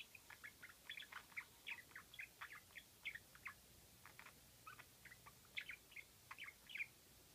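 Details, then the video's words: A budgerigar gives a quick run of short, squeaky "kyuu" chirps and clicks in rising and falling bursts in a quiet room; it makes this cute sound only when stretching its wings. "セキセイインコ きゅ〜っと鳴く"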